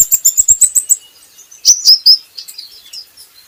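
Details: Brown-throated sunbird used as a practice recording: a rapid string of eight clipped high chirps, then three louder slurred whistles and softer trailing twitters.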